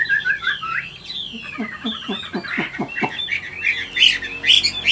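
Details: An old wild-caught Chinese hwamei (Garrulax canorus) with a wild-type voice sings a loud, varied run of clear whistles, then a quick series of downslurred notes, ending on high, ringing phrases.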